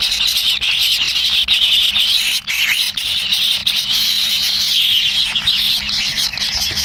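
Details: Kingfisher chicks in the nest, waiting impatiently for a parent to bring food, produce a continuous high, hissing, raspy begging noise with only brief breaks.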